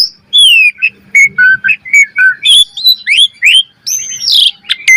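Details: Asian pied starling singing varied master song for training birds: clear falling whistles, a string of short level whistled notes, rising sweeps, and a harsh noisy burst near the end.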